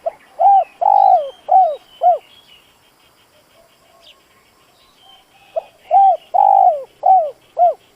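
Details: Spotted dove kept as a decoy, with a call said to bring in wild doves. Two full cooing phrases are separated by a quiet pause of about three seconds. Each phrase has a short pickup note, one long coo and two clipped falling coos.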